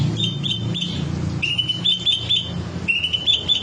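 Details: Green leafbird performing its rich repertoire: bright whistled notes in quick runs, a few sliding upward, in three short phrases with brief pauses, against a constant low background hum.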